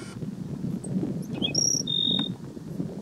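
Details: Black-throated Sparrow singing at Gunlock Reservoir, Washington County, Utah, on 12 May 2016: a few high, clear tinkling notes, then a brief fine trill, against a steady low rumble of wind.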